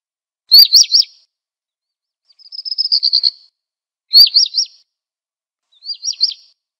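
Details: Black redstart song: a short whistled phrase of rising and falling notes, then a dry crackling, rattling phrase, then the whistled phrase twice more with pauses in between.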